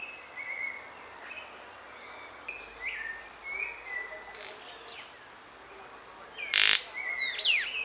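White-throated manakin giving brief, thin, high chirps at irregular intervals, with one sharp loud snap near the end, over a steady high insect hiss.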